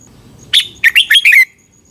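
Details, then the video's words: Red-whiskered bulbul singing in Thailand, a recording meant to train caged birds or excite them: one short phrase of four bright, liquid notes that rises, then slurs down to a clean whistle. "เสียงนกกรงหัวจุก สำหรับต่อ หรือ เปิดให้นกคึก เสียงเพราะๆ"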